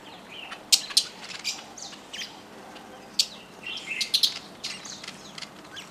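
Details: Fischer's Lovebirds, many of them hybrids with Yellow-collared Lovebirds, at a feeder at a lodge by Lake Elementaita, Kenya. A flock gives shrill, high chirps and squeaky chatter, with sharp loud clicks near the start and scattered bursts throughout.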